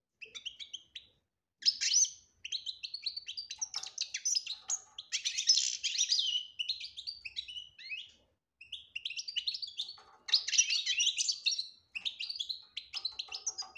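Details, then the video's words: European goldfinch singing in the chattering "batbata" style with clear phrasing, played to draw a silent goldfinch into song. Long runs of rapid high twittering and tinkling notes break off briefly, then resume in dense bursts. "بتبتة روعة انتى ولمال نتاعها بتبتة وتصفية الكلام حسونك حايخرج من صامتو"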